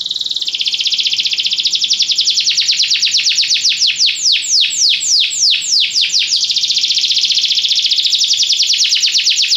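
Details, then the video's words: Belgian canary song used for training: fast buzzy trills interrupted by a run of sweeping downward-slurred notes, then a return to a rapid high rattle, loud and continuous. "canário belga cantando mais espectacular! treinamento canario belga"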